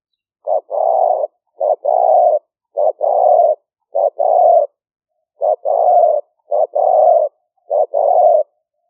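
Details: Spotted dove calling continuously for trapping lure use, liu fueang style, recorded live in Roi Et rice paddies, Thailand, rainy season 2021: seven paired phrases of a short note and a longer coo, with a brief pause midway.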